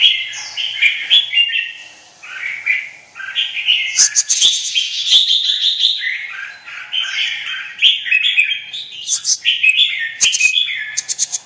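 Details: White-winged red-whiskered bulbul in heated 'vào lửa' singing, an almost nonstop stream of rich, fluty warbles mixed with sharp ticking notes and quick chirps, very lively and varied throughout.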